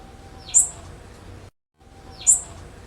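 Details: Female blue-black grassquit call played as a warm-up: two sharp, high-pitched chirps that rise then fall, separated by a short silent gap.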